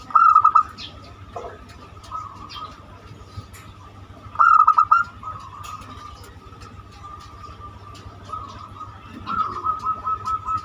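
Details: Banyumili zebra dove, used as a lure to get other birds singing: brisk pulsed coo phrases near the start, middle and end, with softer trailing notes between them and low hum.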